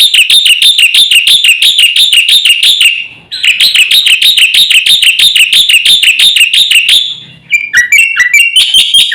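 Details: Black-winged myna in full master song to rile other birds: long runs of rapid shrill squeaky notes about three per second, broken by short pauses, ending in lower swooping chirps.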